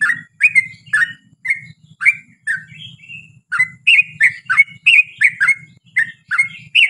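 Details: Yellow-vented bulbul singing in long 'ropel' style as a lure for its own kind: fast, bubbly warbled notes with a brief thinner whistled phrase midway, over faint stuttering low buzz.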